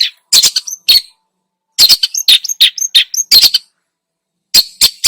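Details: Lure recording of a long-tailed shrike singing hard, its song filled with imitated phrases: scratchy, rasping bursts mixed with brief high whistles, grouped in clusters with gaps of silence between them.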